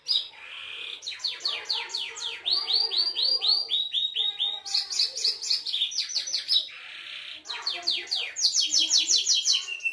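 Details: Belgian canary delivering a distinctive song of rapid, repeated swooping whistled notes grouped into fast rolling tours, some higher and sharper, with brief pauses between phrases.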